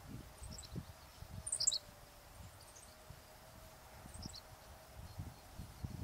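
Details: Henslow's Sparrows on 8 June 2013 at Weldon Springs Interpretive Center: a tiny, high, hiccuping 'tsi-lick', repeated a few times over steady low wind rumble.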